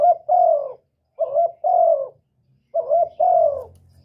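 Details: Spotted dove giving the 'một hậu ròng' coo: three quick pairs of notes, each a short rough coo joined to a long hoarse, slowly falling coo, with a faint low hum toward the end.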